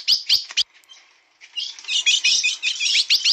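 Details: A steel-beaked ultramarine grosbeak gives a few sharp opening notes, then a fast, bright, warbling phrase of high whistled notes lasting about two seconds.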